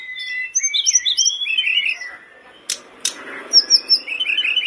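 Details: Sunda robin (Myiomela diana), likely a cage bird, singing quick, high, twittering phrases that slide up and down, broken by two sharp clicks midway over a faint low background hum.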